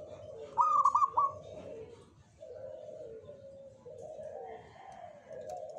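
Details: A Jogoboyo local zebra dove, kept as a bringer of good fortune, gives one quick bright phrase of bubbling notes early on. Long low coos from other doves continue for the rest.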